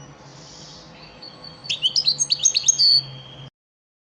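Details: European goldfinch of the elmacık type singing a lesson song for caged birds: one short burst of quick, high, liquid twittering notes, ending in a brief buzzy note before the sound cuts off.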